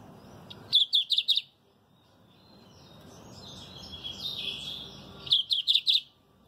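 Lined Seedeater song: two bursts of four or five quick, sharp high notes, separated by a thin, buzzy twittering phrase, over faint background hiss.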